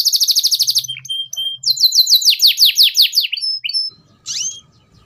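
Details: Tutoring song of a canary for young birds to learn ngeriwik sounds: a rapid run of sharp high notes, a brief pause with faint low rumble, a series of loud descending sweeps, then a lone rising whistle.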